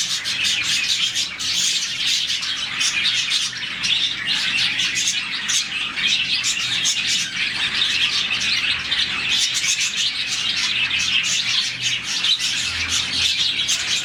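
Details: A captive colony of around 40 budgerigars chirping happily in the morning; sustained high chatter with quick chirps in repeated bursts and no pauses throughout.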